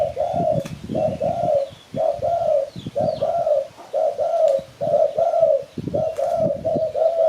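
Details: Spotted dove call from Malaysia, used to lure birds for catching. Soft, low hooting coos come in paired and tripled notes about once a second, with faint twittering of small birds and low thumps behind.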